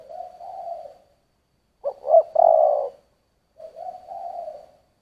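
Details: Spotted dove singing in the giọng thổ style: a long, soft, low coo, then a three-part phrase of two short rising notes and a drawn-out hollow coo, then another long level coo. The background is quiet.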